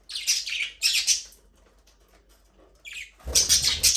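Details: Budgerigars talking and singing as they play in an aviary: two quick bursts of high, harsh chirping chatter, a pause, then louder rapid warbling with a low rumble beneath.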